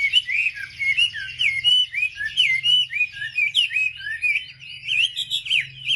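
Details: Singing wambi used as a lure to provoke other wambi: a steady, lively stream of varied whistles and chirps, twisting up and down without long pauses.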